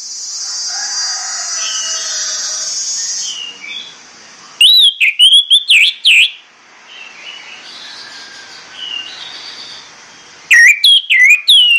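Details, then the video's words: Morning song of an orange-headed thrush: bursts of loud, rapid, rich whistled phrases with swooping slurs, separated by quieter stretches holding soft, distant warbling and a faint hiss. "SUITAN PAGI ANIS MERAH"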